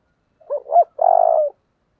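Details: Spotted dove, 'giọng thổ' voice style, calling hard: two short rising notes, then a sustained, low, pulsing coo lasting about half a second, in clean silence.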